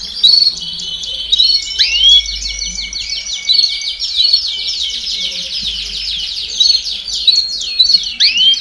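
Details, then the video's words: Domestic canary singing in the baderna style to stimulate young birds: a dense, continuous run of rapid chattering trills, looping upward whistles and buzzy rolls, strong and unbroken throughout. "Baderna de Canario Do Reino Canto Para Estimular Filhotes a Cantar Mais Rápido"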